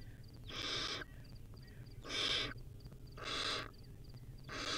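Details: Barn owl owlet in the wild, eating a rodent, gives four rasping hissed screeches spaced a little over a second apart, with faint low background hum.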